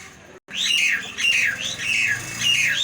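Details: Nias hill myna calling loudly: a series of harsh, arching squawks that rise and fall, about four in under three seconds, each with a ringing whistled core, after a brief silent gap.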